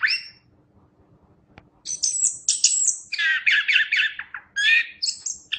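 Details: Chestnut-capped thrush song from a songbird training recording: one brief whistle, near-silence with a faint click, then a lively run of high squeaky notes and mid-pitched slurred chirps.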